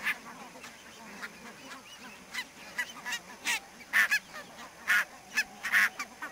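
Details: Barnacle geese heard through fog at Savonlinna's Niittylahti, Finland, 2 October 2011: a soft background chatter of the flock, then loud, clipped yapping honks, often in pairs, roughly every second toward the end.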